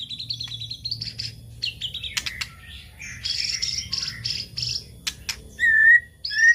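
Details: White-rumped shama song played as a lure for other birds: varied whistled phrases and buzzy trills, ending in clear pure whistles that slide upward, with a low background hum.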